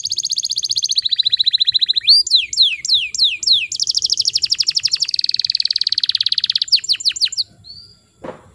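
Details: Canary song played to get silent canaries singing: loud rapid trills give way to a run of steep downswept repeated notes and a long rolling trill, ending with one short whistle and a click.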